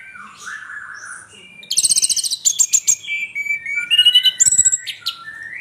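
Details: Anis merah tengleng, the orange-headed thrush, opening with soft low warbles, then breaking into fast rattling trills and sharp high whistled notes in quick succession.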